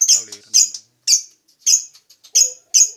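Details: Lovebird repeating high, squeaky, piercing chirps about twice a second, with a faint low murmur.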